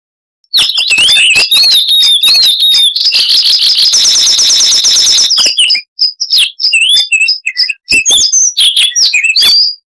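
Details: Chestnut-vented warbler (Sylvia subcaerulea) of South Africa's scrub and dry riverbeds, singing a loud, clear song: quick whistled phrases wavering around the upper range, a dense buzzy trill in the middle, then sharp scattered chips and rising whistles.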